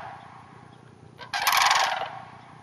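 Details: Sandhill cranes in a neighboring hayfield north of the Twin Cities: faint rattling calls at first, then one loud rolling bugle lasting about half a second before fading.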